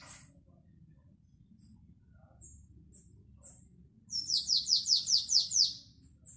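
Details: Canary, classic Belgian song style, 2021: several isolated high thin chirps followed by a loud run of about eight rapid descending slurred notes, over low steady hum.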